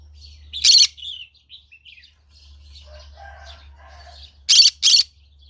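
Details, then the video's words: Morning song of a green-cheeked conure: one harsh screech trailing into chatter, a run of quiet mumbling and squeaky notes, then two loud rasping screeches close together. "Green cheek conure singing sounds in the morning"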